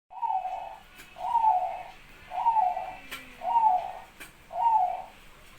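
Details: Pet zebra dove kept as a lure bird, quickly joining in to answer a rival. It gives five soft, low cooing phrases, each slightly trilled and falling, about one second apart, with faint clicks between them.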